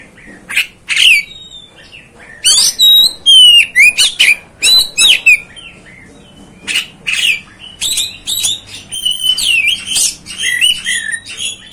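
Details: Song of an Oriental magpie-robin (kacer) for provoking fellow kacers: loud scratchy bursts and looping whistles about twice per second, a short lull, then a long busy stretch of mixed twittering notes.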